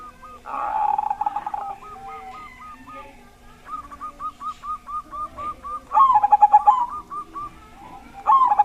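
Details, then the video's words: Zebra dove singing loudly as a lure for silent doves; bubbling cooing phrases of rapid pulses, with long runs of softer repeated hooked notes from other doves between them. "perkutut suara besar, Membuat perkutut lain langsung ikut bunyi"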